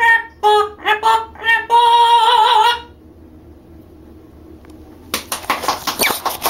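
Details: A 9-year-old male Mealy amazon sings in a human-like, operatic voice: a few short swooping notes, then a long, wavering held tone. A pause follows, then a burst of rustling noise.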